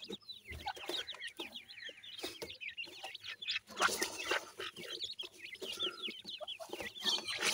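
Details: Group of young teetar francolin chicks calling continuously with rapid, overlapping high-pitched cheeps, some slurred upward, with occasional louder bursts of rustling.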